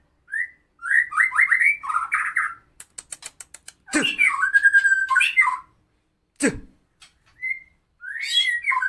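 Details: Murai medan (white-rumped shama) singing harsh, rough song phrases used as a master recording for tutoring other birds. Loud, varied whistled phrases with quick slurred notes, a rapid burst of ticking clicks, sharp downward sweeps, and rising whistles separated by brief pauses.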